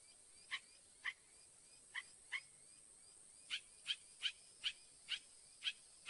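A Northern mockingbird repeats short, sharp notes about twice a second: first a lower series, then a quicker, higher run. The background is quiet.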